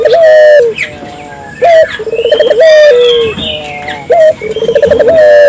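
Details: Repeated dove phrases, each a held note followed by a quick bubbling burst of coos, recurring every few seconds, used to prompt local doves to join in; thin whistles and chirps from other birds sit above.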